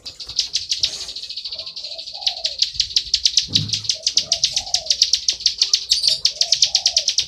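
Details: A plain prinia singing a loud 'ngebren' song of steady, rapid, high buzzy notes, with a dove's repeated low coos clearly audible beneath it.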